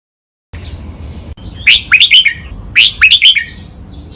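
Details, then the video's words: Red-whiskered bulbul singing a master training song in the double, counted-phrase 'lak wai' style: two bright, bubbly whistled phrases of quick rising and falling notes, about a second apart, over a low steady hum. "นกกรงหัวจุก | เสียงร้องเบิ้ล 2 นับดอก แม่บท ลากหวาย คมชัด ไว้ฝึกนก (เสียงฝึกร้อง)"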